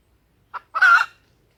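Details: Female red junglefowl call, used as a lure so wild males will crow: a brief harsh note, then a longer raspy, broadband squawk of about a third of a second after a short gap. Background otherwise silent.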